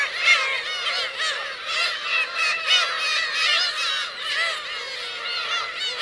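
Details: Black-tailed gull adults and chicks, Kurosaki coast, Teuri Island, Hokkaido, 17 June 2021; busy colony noise of many harsh, mewing calls rising and falling, overlapping continuously.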